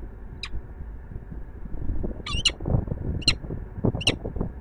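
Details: Peregrine falcon at Warsaw's Palace of Culture and Science, Poland: a thin single note, then three bursts of short harsh squawking calls spaced about a second apart, over rumbling city noise.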